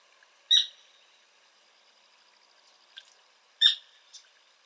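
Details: Sora with two loud, sharp, high notes about three seconds apart. Each is followed by a fainter short note, over a quiet background.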